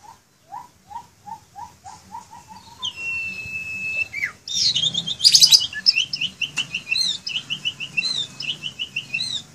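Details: Caged Asian pied starling in song: a run of low whistled upslurs, then a long flat high whistle, then a harsh burst and rapid repeated bright chirps, over faint low hum.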